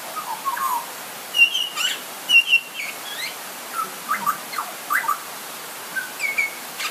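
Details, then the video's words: A butcherbird gives short, clear fluted whistles and quick slurred notes, scattered irregularly about once a second, during light rain with a soft steady hiss and a bit of thunder in the background. "Butcher Bird Call"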